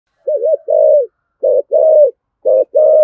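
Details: Spotted dove giving a 'thúc gù' driving coo, used as a lure to provoke wild rivals: low mellow coos in three paired phrases, each a short wavering note followed by a longer steady one.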